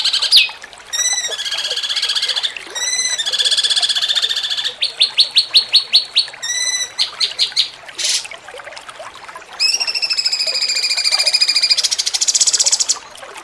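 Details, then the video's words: Cucak cungkok song in the jengking munting style, used as a master recording for training contest songbirds. Loud, high, harmonic whistled notes come in bursts of rapid repeated pulses, with short trills and sharp chips between phrases. The background is quiet. "MASTERAN CUCAK CUNGKOK JENGKING MUNTING"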